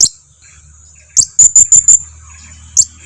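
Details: Blue-crowned hanging parrot lure call for eliciting answers from other birds: a sharp squeak, then four rapid shrill high chips, ending with another lone squeak, over a faint low hum.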